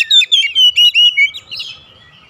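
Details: Home-kept Oriental magpie-robin, singing actively, delivers five quick, loud whistled notes with sharp downward slurs, trailing into softer chattering twitters.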